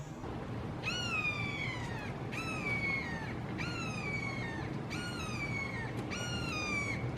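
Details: Red-shouldered hawks calling loudly together in a Florida backyard, taken with a Canon SX70HS. Five long, drawn-out screams, each sliding downward and lasting about a second, spaced regularly over steady low background hum.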